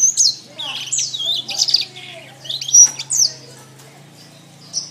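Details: Canary song meant for training cage birds: quick high whistled sweeps and rolling trills in bursts, separated by short quieter gaps, over a faint steady low hum.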